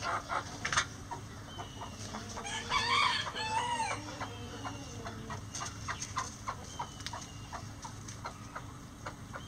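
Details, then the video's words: Rooster crowing before dawn as the flock leaves the coop: one harmonic, wavering crow of about a second and a half, among scattered clucks and short calls from other chickens. "Rooster Crowing Chicken Sounds | Before Dawn"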